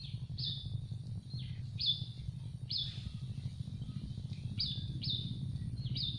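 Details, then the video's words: Begging calls from hungry Yellow-vented bulbul chicks in a nest on a tree: thin high squeaks dipping then leveling, given singly and in pairs, set against a steady low background hum. "Hungry baby birds of Yellow vented bulbul begging for food in a nest on a tree"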